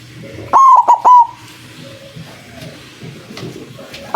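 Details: Lure recording of a white zebra dove: a single strong three-note coo, a drawn-out tone then two brief ones, followed by faint background rustling and hum.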